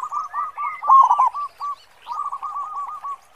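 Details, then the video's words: Local zebra dove singing a big 'khong' song: quick bubbling coo notes rise into a louder stutter, pause briefly, then resume as an even rolling trill, faint high bird calls behind. "Perkutut Lokal Gacor Suara Khong besar"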